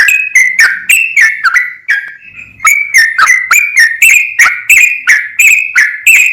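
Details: Sooty-headed bulbul pouring out a continuous 'full ropel' song of clipped, bright whistles, briefly broken by a softer, fainter phrase near the middle, then resuming at roughly three notes per second.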